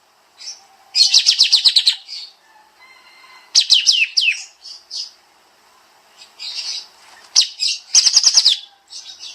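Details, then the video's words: Bulbul called kapas tembak, dense rapid song from a master for training cage songbirds. Repeated bursts of sharp descending notes alternate with brief whistles and chirps, the bursts about two to three seconds apart. "Masteran Burung Kapas Tembak Suara Rapat Nembak Nembak"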